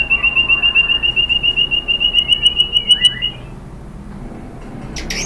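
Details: White-rumped shama song used as a lure to provoke another bird into singing: a steady run of clear, identical whistled notes, about four per second for three seconds, ending in a few quick downslurred phrases, then near silence.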